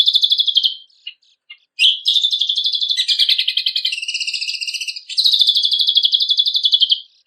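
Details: Energetic kecial kombok song used as contest training material: fast rattling trills of high buzzy notes in long runs, a short gap with isolated chips, then more sustained chattering trills changing pitch in steps; no background noise.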